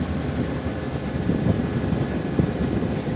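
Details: A steady, low engine rumble during a sunset safari drive, with no animal calls heard.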